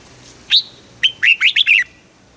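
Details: Red-whiskered bulbul, a caged bird, singing in the southern Thai master-song style used to stimulate other birds and teach young ones: a sharp rising note, then a quick run of five clear warbled notes.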